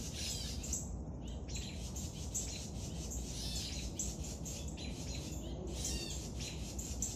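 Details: Young woodpecker at feeding time, harsh grating buzzes in irregular bursts with short silences, backed by persistent low-frequency rumbling noise.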